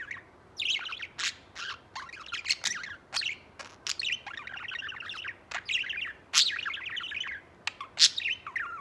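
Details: A white pet budgerigar singing while it preens and plays with a companion warbles nonstop in a rapid, scratchy chatter of high chirps, clicks and short squawks, with sharp bright notes scattered through.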